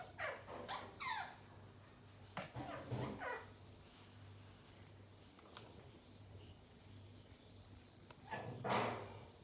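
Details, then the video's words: Indian ringneck parakeets playing together, giving short harsh squawks and chattering notes in scattered bursts, several calls close together near the start and one louder screech near the end, over a steady low indoor hum. "Indian Ringneck Parrots Playing Together"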